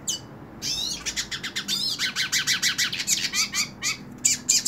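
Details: A hooded siskin sings from a person's hand: an energetic string of repeated down-slurred, twangy notes about five per second, mixed with high squeaks and sharp chips.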